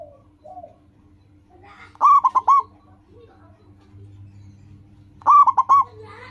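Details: Zebra dove of the local type singing loudly, as a training lure for caged doves. Two bright coo phrases, each four quick bubbling notes, are separated by about three seconds of quiet with faint soft calls.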